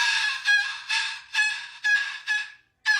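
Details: Tango, a pet cockatoo, indoors after pushing over a toy bird it disliked, gives loud, harsh, harmonic squawks in quick bursts, about two per second, with a brief pause before a final burst.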